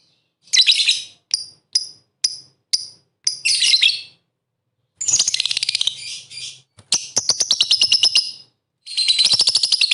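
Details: Chattering lovebird, played to rile up rival lovebirds and make them sing: a run of short, high, separate chirps, then longer rapid buzzy trills and stuttering chatter with brief gaps.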